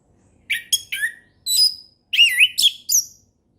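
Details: Orange-headed thrush in ngeplong style, used to teach young birds: rich slurred whistles, a drawn-out high note, and a wavering warbled phrase, cleanly recorded.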